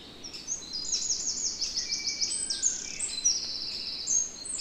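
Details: Song of a European robin recorded in the Netherlands: a quick series of repeated down-slurred high notes, followed by sustained thin whistles, with several other birds singing at once in the background.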